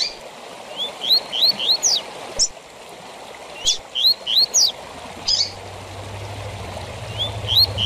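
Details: Double-collared seedeater singing the 'tui tui zel zel' song style used to train captive birds: bursts of three or four high rising whistled notes, then sharp downslurred buzzy strokes, phrases repeated with pauses over steady water-like hiss.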